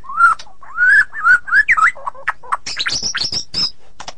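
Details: White-rumped shama delivering rich, low whistled phrases that rise and fall, followed by a quicker series of high, sharp chirps and buzzy notes.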